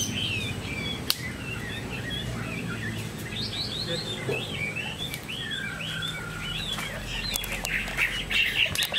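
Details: Chinese hwamei kept in a cage, singing a moderately faint run of short rising whistles and twittering notes against continuous low background hum, with a couple of sharp clicks.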